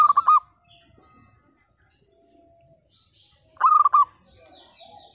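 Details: Two bursts of rippling, stepped cooing from a local zebra dove with a 'pecah' voice, meant to coax quiet birds to sing; near silence between them, with faint distant chirps.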